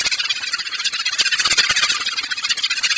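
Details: Sparrows chirping in a dense, continuous high chatter of rapid squeaky notes, many per second, shrill and bright with no low sounds.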